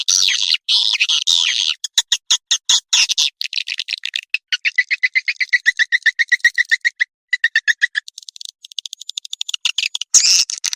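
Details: Swiftlet calling sound meant to draw swiftlets in: high buzzy rattles open it, then a long train of fast clicking chirps with a steady lower tone, ending in renewed hissing twitter.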